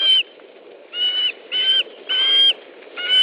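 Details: Osprey at a nest in Estonia, 13 July 2013, 17:58, during a fish delivery: four drawn-out, slurred whistles, each about half a second, over a low rumbling background.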